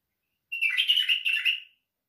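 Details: Short burst of white-eared bulbul song, a bright warbling phrase lasting over a second, several quick slurred notes strung together at one steady pitch level, heard on a quiet background.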